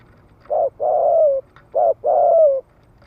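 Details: A spotted dove gives 'thúc gù' cooing to excite males: two short-then-long coo pairs, low and soft, the longer notes gently falling. A light background hiss fills the pauses.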